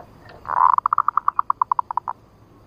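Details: A female zebra dove, heard as a trapping lure in the nutut ngerot style, starts with a swelling coo and runs into a quick string of about fifteen short pulsed notes.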